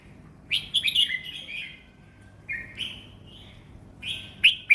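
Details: Red-whiskered bulbul kept for song contests, singing at an easy pace: quick chirpy fluting bursts, then a lower sliding whistle and a final sharp double note, with brief silences between phrases.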